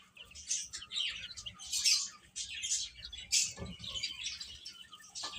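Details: Baby chickens eating and playing, a dense chorus of high, short chirps overlapping throughout, with louder peeping bursts around the second and third-and-a-half seconds.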